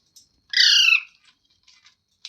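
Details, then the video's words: Single loud, grating squawk from a pet parrot, held for about half a second, followed by a few faint chirps. "Funny Parrot Sounds Videos | मिट्ठू की आवाज़ | तोते की आवाज़"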